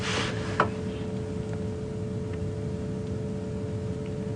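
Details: Idling engine hum with steady low tones and a single sharp knock near the start, no animal sounds present.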